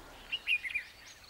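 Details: A bulbul in Corbett gives a quick run of four or five short, chirpy notes in under half a second, over a steady outdoor hiss.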